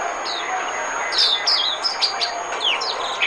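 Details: Decoy song of an Oriental white-eye for attracting wild birds, a run of sharp, high, downslurred chips and short warbled phrases at an uneven pace, with a constant low hum behind.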